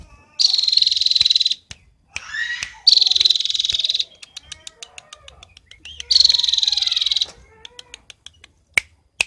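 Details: Cinereous tit (gelatik batu) from Roban, Subah, Batang, said to sing constantly with a richly filled repertoire; long, dense, buzzy high trills, each over a second, alternate with a short rising, sweeping phrase and scattered clicks.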